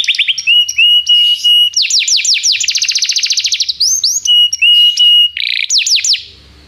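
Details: Canary tutor song for training a youngster: a steady whistled note, then fast rolling trills of sweeping notes, a dense buzzy roll, more level whistles and a few final upward sweeps before fading.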